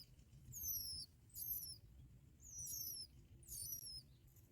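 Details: Hungry bar-winged prinia young call out while both parents feed them black locusts: four piercing, thin squeals that slide downward, spaced about a second apart, against a quiet low hum.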